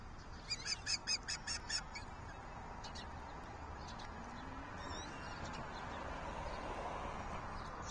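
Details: Juvenile osprey viciously attacking its sibling on June 6, 2023: a quick burst of about eight sharp, harsh, repeated calls in the first two seconds, then scattered fainter calls over a constant low background rumble.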